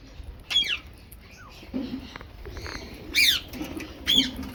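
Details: Rose-ringed parakeet eating mixed food gives three harsh, high, down-slurred screeches about a second apart, with soft clicks and rustling between them.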